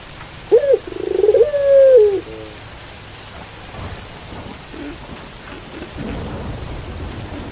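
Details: Pelung dove cooing with rain falling: a short rising-falling note, then a rolling, pulsed phrase swelling into a long drawn-out coo, followed by several seconds of steady rain patter.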